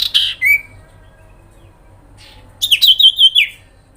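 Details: Sooty-headed bulbul giving a grincingan call meant to provoke other birds into responding: a buzzy downslurred note, a short rising whistle, then a rapid wavering high trill of about six pulses.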